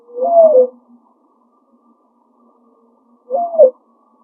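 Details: Mourning dove calling from a tree in a backyard: two short, low, hollow coos with a slight rise and fall, about three seconds apart, with quiet pauses between and no other sounds.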